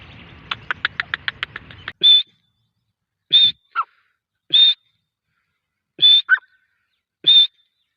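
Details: Grey francolin: a quick run of about eight short ticking notes leads into a series of loud, high whistles spaced about one to one and a half seconds apart. Some whistles are followed by a brief lower note.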